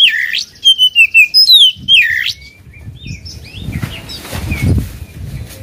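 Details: Kacer song used to goad a competing oriental magpie-robin: an opening flurry of loud whistled slurs and choppy notes, then fainter twitters over a rumbling, noisy background.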